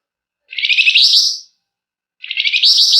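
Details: Gacor flamboyan giving long, tight ngebren and emotional nyecret, a lure for getting birds to sing; two high, scratchy, fast-trilled bursts, each roughly a second, separated by a short silence.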